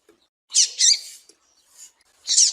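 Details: Calls of a female Double-collared seedeater, meant to stimulate males for song contests: two rapid, high, buzzy chips, a pause, then a third loud scratchy note; no other sounds.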